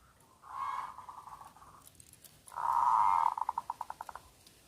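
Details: Local zebra dove with a loud voice, used as a lure for lazy doves: a rolling coo, then a stronger sustained coo that breaks into a fast series of fading pulses, over steady background hiss.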